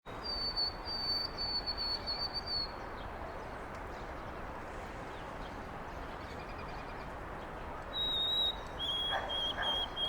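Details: White-throated sparrow in Carl Schurz Park, New York City, 25 March 2021: a long thin high whistle held steady for about two seconds, later two more pure whistles stepping down in pitch, over constant city background hiss.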